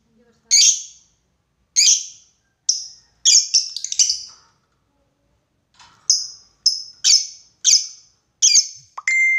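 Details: Lovebird calling a rival in a lure recording of long ngekek: a series of sharp, high, shrill screeches and chattering bursts, some clustered in quick runs, separated by short pauses, ending in a steady thin whistle.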